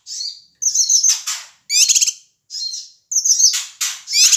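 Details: Male Ashy tailorbird from Sumatra calling loudly as a provocation lure: alternating high twittered phrases and harsh, rasping, stuttered bursts, each group followed by a short silence.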